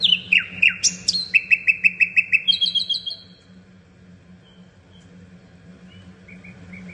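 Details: Common nightingale singing a phrase of loud, sharp descending notes, then a fast run of about a dozen evenly spaced repeated chirps that fades away into near silence, with a steady low hum behind.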